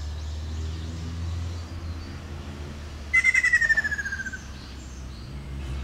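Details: Ruddy kingfisher giving one loud descending trill, a rapid run of pulsed whistled notes dropping slightly in pitch over about a second. It rises out of steady low rumbling background noise.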